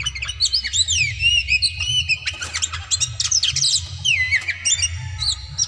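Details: Oriental magpie-robin (kacer) in a provoking song meant to rouse rivals to fight. Loud, varied whistled phrases with rising and falling slurs and sharp chips follow one another rapidly over a steady low hum.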